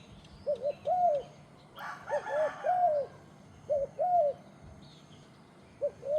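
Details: Repeated soft cooing of a turtle dove, paired low notes with the second drawn out, interrupted once by a brief rustling burst.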